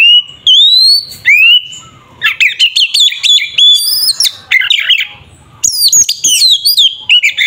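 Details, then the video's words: Oriental magpie-robin singing its 'ngeplong' fighting song to stir up a rival: opening rising whistles, then a rapid, jumbled stream of chirps, sharp whistles and buzzy notes with short pauses. "Suara burung Kacer TARUNG NGEPLONG sangat efektif untuk pancingan Kacer agar emosi"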